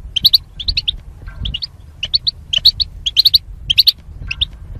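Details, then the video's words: Goldfinch in a cage during singing training, housed with a mate behind a wire divider: clusters of two to four sharp, high, tinkling chirps repeated about twice a second over faint low hum. "Goldfinch Chirping Sounds"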